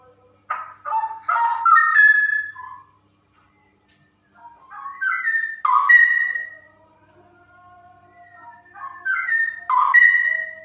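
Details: Female straw-headed bulbul delivering ropel song: three loud, rich phrases of bubbling, rolling whistles, each climbing to a clear, ringing high note, separated by short pauses and soft, low whistles.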